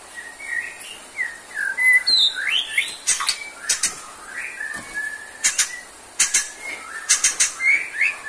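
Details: Singing white-rumped shama heard on a stamina-therapy recording: loose whistled and slurred notes mixed with abrupt, harsh clicks and rasping bursts, the phrases uneven and interrupted.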